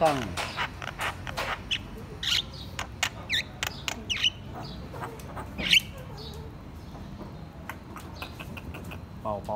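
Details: A white-eyed Javan myna chatters loudly, a jumble of harsh squawks, clicks and sharp whistles in quick bursts, with faint human voices in the background.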